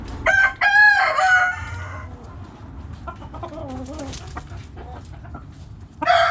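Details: Backyard chickens: a loud harmonic rooster crow with a short break runs for about two seconds, followed by softer scattered hen clucks and low murmuring, then another crow starting at the end.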